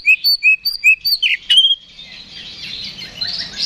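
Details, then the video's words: Oriental magpie-robin (kacer) singing ngeplong fighting song, played to provoke a response: a run of bright whistled phrases and short rising notes, then a softer blurred warble with low background rumble. "KACER GACOR NGEPLONG TARUNG !! PANCINGAN KACER PALING AMPUH BUAT MENAIKAN EMOSI KACER AUTO RESPON"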